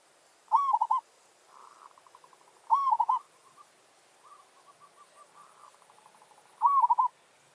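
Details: Zebra dove calling during lure trapping for territorial challenge, with a wild bird responding. Three loud trilled coo phrases, each under half a second, alternate with a quieter second dove's stuttering coos.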